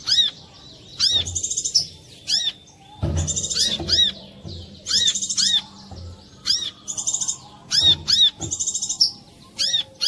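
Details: Brown-throated sunbird lure song, clear, played to make other sunbirds start singing: bursts of high, thin arching chirps alternating with rapid buzzy trills, each burst about a second long, with short pauses and faint low thumps.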